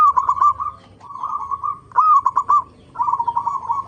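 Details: Lure recording of a local zebra dove to get other doves singing: four phrases of fast, fluttering mid-pitched coos, one opening with a rising slur, separated by short gaps.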